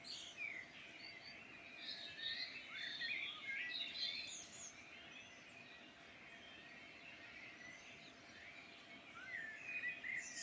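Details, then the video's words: Countryside dawn-style chorus in the Irish Midlands, with dense overlapping chirps and warbling phrases from many birds, busier at the start and end, over low steady background noise. "Beautiful birdsong in Ireland Midland"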